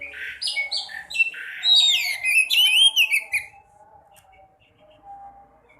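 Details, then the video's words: White-breasted woodswallow (sekoci) voice used to stimulate quiet birds: rapid buzzy chips run into loud, bending, scratchy chatter lasting about three seconds, then near silence. "Pancing burung sekoci yang males bunyi, pasti sekoci anda gacor dan ngobra"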